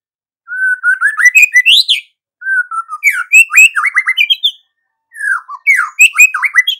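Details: A singing white-rumped shama in 'gacor' form, for morning listening: three bursts of whistled phrases, each opening with a low smooth whistle and breaking into quick slurred notes and chattering trills.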